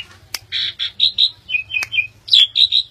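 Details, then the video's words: Asian pied starling, a bred songbird from Indonesia, giving a string of loud nasal squawking notes, about eight in three seconds, broken by two sharp clicks, over a low hum. "Jalak Suren - Burung Jalak Suren Joss"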